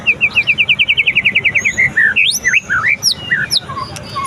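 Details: White-rumped shama singing after its moult: a fast, even series of about twenty sharp chips that gives way to loud, varied whistled notes, some sweeping up steeply and others slurring down.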